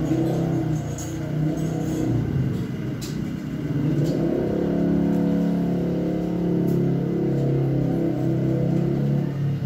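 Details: A car engine revs and hums steadily, with a few faint clicks and no animal voice.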